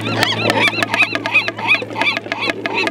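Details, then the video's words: Double-crested cormorants give courtship sounds from a tunnel system within a colony on East Sand Island, Columbia River: overlapping nasal, wavering calls repeated several times a second, mixed with sharp clicks and a low steady hum. "Sounds of a Cormorant Colony"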